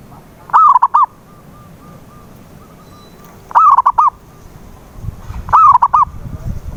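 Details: Local zebra dove coo used as a lure for a silent dove: three phrases of a long slurred note and short clipped notes, with a faint steady tone between the first two and light rumble near the end.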